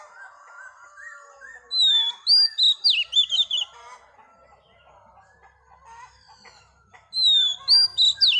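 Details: Female Oriental magpie-robin caught from the wild, singing to stimulate males: two loud bursts of rapid clear whistles and trills, separated by a stretch of quieter chattering and chirps.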